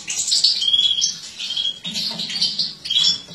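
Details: European goldfinch female, captive-bred mutation, 2017, feeding: a brief run of high, tinkling twitter and chirps in two bursts, with thin whistled notes between.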